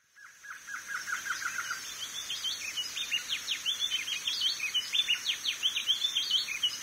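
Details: A northern chestnut-bellied seedeater (coleiro do norte) opens with a quick row of lower chips, then breaks into a long, rapid, high twittering warble over a steady high hiss.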